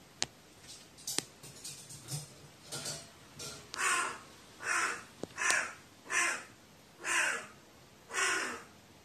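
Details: Crow talking to itself, described as trembling in fear, recorded 15 May 2018; a few soft faint notes give way to six loud, harsh caws spaced roughly a second apart, each with a rich buzzy tone.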